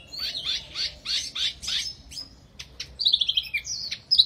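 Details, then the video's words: Energetic wambi song: a string of buzzy high notes about every third of a second, a short pause, then a rapid twittering trill and high whistled slurs. "Burung Wambi Mini Gacor Banget"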